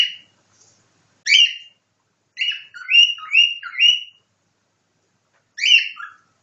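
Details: Cockatiel imitating a nightingale: single rising whistled notes, then a run of four to five quick upward-sliding whistles around the middle, then another single note.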